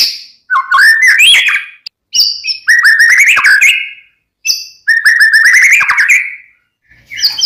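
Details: White-rumped shama singing strongly in separate phrases about a second long, each a fast run of fluty whistles and chattering notes that climb and fall, with short silent gaps between them.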